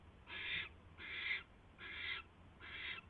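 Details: Barn owl nest at night, 22 January 2016, with a mouse being delivered: four slightly softer wheezy hisses, each about 0.4 seconds, spaced roughly 0.8 seconds apart against a quiet low hum.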